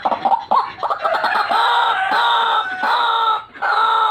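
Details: White-breasted waterhen calling, used to lure birds: quick, stuttering croaks, then sustained, loud, nasal braying notes, each about a second long, with short breaks between them.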